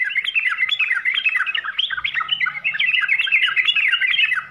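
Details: Yellow-vented bulbul (trucukan) delivering continuous 'full isian' song: fast, jumbled, chattering warbles of bubbly up-and-down notes, steady and loud throughout, with a faint low hum in the background midway.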